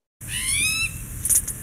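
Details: Spotted towhee (Pipilo maculatus), call.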